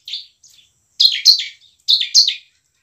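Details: Emotional, frequently singing bar-winged prinia, used as a lure to get lazy birds singing: a soft opening note, then two separated pairs of harsh, buzzy, downward-slurred high notes.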